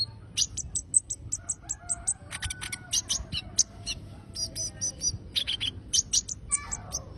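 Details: Sustained bird song of rapid high chirps and thin whistled notes, fired in dense runs with short pauses, plus a faint lower whistled phrase partway through and steady low background hum.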